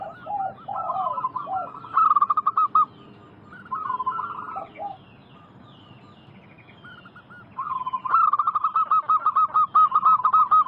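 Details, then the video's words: Local wild-type zebra doves sing on a lure track meant to make wild doves respond. Bubbling low coos and loud strings of rapid pulsed notes are separated by a quiet gap. "Pancingan paling Ampuh hitungan detik langsung nyaut. Masteran burung perkutut lokal gacor"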